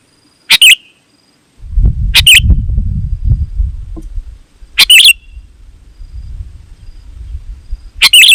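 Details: Sooty-headed bulbul calling wild bulbuls: a few short, bright, slurred phrases stand out above a steady low rumbling noise that fills the middle of the recording.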